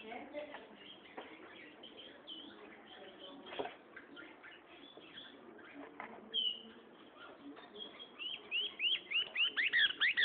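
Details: Gray seedeater, a loud-singing seed-eater of lowland plains and hill bases, sings quick bright whistled notes, rising and falling, at the end, after a long stretch of men talking with scattered soft chirps.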